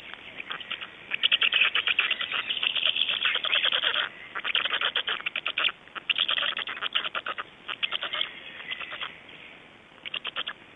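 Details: Estonian black storks at 05:15 on 26 May 2012 produce long, hollow clattering rattles, fast pulse runs lasting one to two seconds each, repeated many times across about ten seconds.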